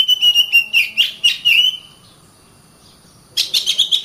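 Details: Kacer (Oriental magpie-robin) song for training other songbirds: rapid rhythmic whistled pulses and buzzy notes for nearly two seconds, a silent gap, then another burst of quick chirping notes.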